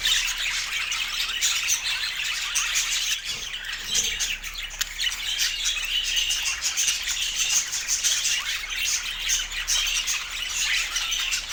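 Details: Budgerigars, popular pets, keep up a long busy chorus of chirps, squawks and warbling twitters without pause, the bursts pulsing rapidly and steadily at a constant loudness.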